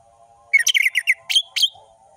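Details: Orange-headed thrush in ngeplong song: a quick run of warbled, twittering notes with mixed pitch, followed by two brighter whistled notes, over a faint low hum before and after.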